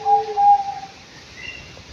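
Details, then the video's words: Two short, clear, hollow notes from a five-month-old Anggungan in an aviary, the second slightly longer and fading, followed by a faint high chirp in the quiet background. "BURUNG ANGGUNGAN USIA 5 BULAN"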